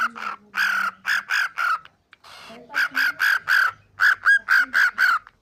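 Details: Talking pet cockatiel voicing quick bursts of bright, nasal, speech-like syllables, about four per second, in two runs split by a pause. A faint low human murmur is heard between them.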